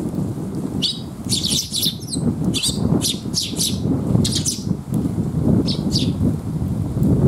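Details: Young sparrows coming for food at a rest area on a rainy afternoon, 27 May 2021: thin, high chirps repeated in quick clusters over a steady low rumble of rain and background noise.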